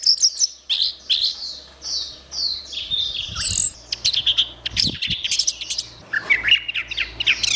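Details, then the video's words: Orange-headed thrush song used as a recording for training songbirds: varied, loud whistled and chattering phrases tumbling continuously, some slurred notes and sharp clicks, with faint low hum underneath. "Ocehan Suara Burung Anis Merah"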